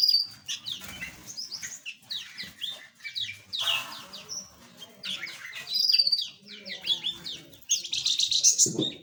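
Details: A flock of small aviary birds of several kinds produces a dense mix of sharp high tweets and brief buzzy bursts, loudest near the end, with a soft low rumble in the background.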